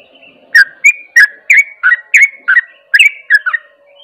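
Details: Sooty-headed bulbul giving fast ropel song intended to agitate other bulbuls: a steady string of chirpy, bubbling whistled notes, often doubled, roughly three each second, with light hum behind.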